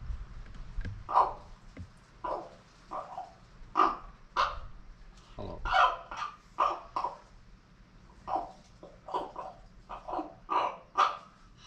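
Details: Pet common raven, female, making strange new noises at its owner, possibly trying to say hello. Short harsh croaking squawks come in a rapid irregular series, about twenty bursts, while a person repeatedly says "hello" nearby.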